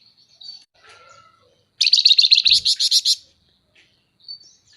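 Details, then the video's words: Scaly-breasted munia in lively chattering form, used as a tutor for other birds and as a lure. It gives a quick burst of about a dozen high, buzzy chirps packed into just over a second, with faint thin notes before and after. "Burung FLAMBOYAN GACOR Nyerecet Cerewet Merepet tuk Masteran dan Pancingan"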